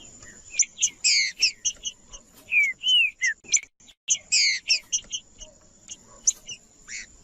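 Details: Singing green-winged saltator, meant to rouse quiet birds into song for tournament-minded keepers: short bursts of harsh buzzy notes mixed with a few bright slurred whistles, pauses between phrases, and a constant faint high-pitched tone behind.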